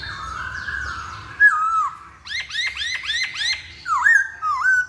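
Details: Masked laughingthrush in a pancingan lure recording: a long level whistle, then a quick run of loud rising slurred whistles, followed by a dipping whistle repeated twice, with a low hum beneath.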